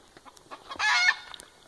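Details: Rooster gives a single harsh, raspy squawk of about a third of a second warning of a hawk waiting to catch the hens' chicks, with faint ticks and rustles around it.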